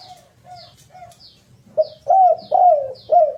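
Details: Spotted dove calling, recorded as a lure to make birds sing quickly: three soft coos, then four louder swelling coos in a row, accompanied by repeated high descending chirps from another bird.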